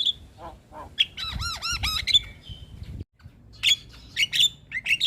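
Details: Javan myna in full song, for stimulating a lazy bird: soft notes, then a run of arched, squealing nasal calls, a brief gap, and scattered sharp whistles.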